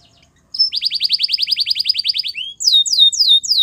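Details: After a short silence a white Belgian canary delivers a fast, even trill of repeated notes, a brief falling slur, then loud descending whistled phrases.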